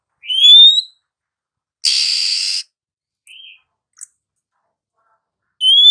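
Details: Female Oriental magpie-robin whistling to lure sluggish, silent males into singing: a bright rising whistle, a long harsh raspy burst, a soft short note, then another rising whistle.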